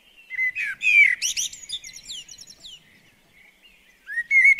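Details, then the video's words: Common blackbird at a garden bird table in the UK, a phrase of deep fluting whistles dissolving into a high rapid twitter, then a new mellow phrase starting. "Garden Birds Singing The Blackbird"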